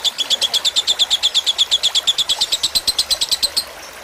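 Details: Fighter-type lovebird tutor recording meant for teaching caged birds, with trickling water: rapid, steady string of bright high chirps about three per second, stopping just before the end and leaving faint background hiss.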